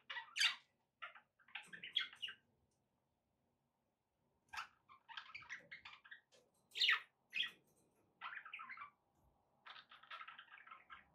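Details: Quieter budgerigar warbling with sharp chirps and raspy, buzzy strings of notes, broken by a silent gap partway through.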